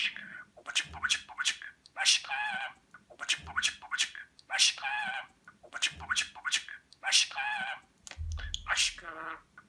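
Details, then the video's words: Pet budgerigar from Rize, Turkey, 2020, talking indoors, mimicking Turkish words such as "Babacık Babacık Aşkım": high, raspy speech-like phrases repeated in bursts roughly every two seconds, with a short low thump near the end. "Konuşan Muhabbet Kuşu"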